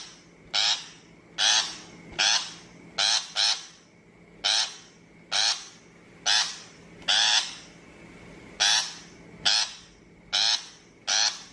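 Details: Shrike used as a trapping lure, calling in a long series: around fifteen scratchy, rasping notes, some in quick pairs, mostly under a second apart, over a faint background hum.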